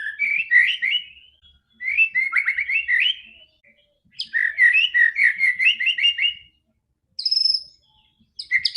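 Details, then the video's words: White-rumped shama song meant to coax a quiet bird into song: rapid runs of rising and falling whistled notes in several bursts, followed by a high clear whistle and a fresh phrase. "PANCINGAN MURAI BATU GACOR‼️ANTI STRESS"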